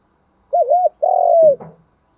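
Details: Decoy spotted dove calling to draw in wild doves, varying its song pattern: a short wavering double coo followed by a longer steady coo that drops at the end, then a brief rustling thump.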